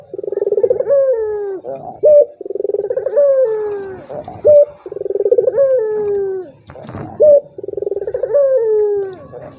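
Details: Four quick repetitions of a turtle dove's provoking call, used against a reluctant rival: throbbing purred trill, descending drawn-out coo, then a crisp short high note, with almost no pause between phrases.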